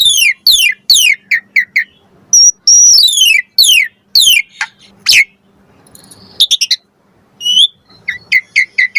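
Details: Asian pied starling lure song packed with varied fill-in phrases, meant to make other starlings answer: loud, rapidly falling whistled notes in bursts, a long wavering whistle, then short high chirps repeated at the end.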